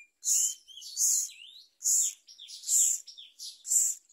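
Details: Baby myna fed a large blue caterpillar by a parent, uttering loud screechy hissing calls, five bursts at uneven intervals, with softer sliding squeaks in the gaps.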